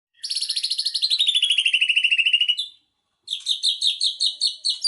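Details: Magpie-robin singing a 'tembakan sejalur' run: a long, fast, buzzy high trill of rapid pulses that slides slightly downward, a brief pause, then another series of sharp, evenly repeated high notes.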